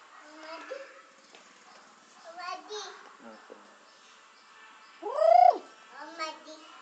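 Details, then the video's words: Nias hill myna from Indonesia's tropical forests around Nias, a tame trained bird imitating human speech: several soft, speech-like syllables with voiced formants, then a loud arched nasal note followed by a shorter harmonic call, in a quiet indoor setting. "gracula robusta sounds like a human"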